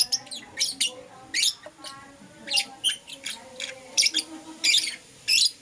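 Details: Lovebirds of Euwing Green Opaline and Lutino colour forms chirping in the morning: sharp, harsh, high chirps in irregular bursts, some doubled, over a faint low steady hum.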